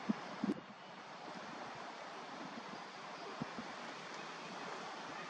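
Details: Even rushing noise like wind or water fills the recording, broken by a few soft knocks near the start.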